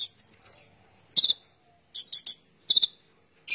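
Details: Konin, or oriental magpie-robin, singing gacor-style: a thin, high trilled phrase opens, followed by clusters of rattling, buzzy notes roughly every three-quarters of a second with short silences between.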